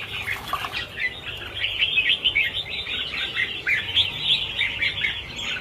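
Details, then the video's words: Chorus from a flock of about 1000 Red-whiskered Bulbuls being set free: dense overlapping bright chirps and short warbled notes, rapid and irregular, with a brief rustle at the start. "Phóng sinh 1000 con chim chào mào - chào mào căng lửa"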